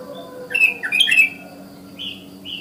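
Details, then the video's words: Sooty-headed bulbul in the wild in the morning, calling so other bulbuls join in: a quick burst of bubbly, chirping notes around the middle, then two short higher whistled notes near the end, with faint background hum. "Burung KUTILANG Ngalas GACOR Suara Isian Alami Memangil Kutilang lain ikut Bunyi"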